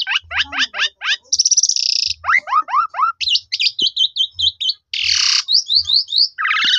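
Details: Black-collared starling song used as a lure to draw a reply from other starlings: fast runs of rising and falling notes, harsh buzzy bursts, sharp chips and squeaks, varied phrases packed closely together.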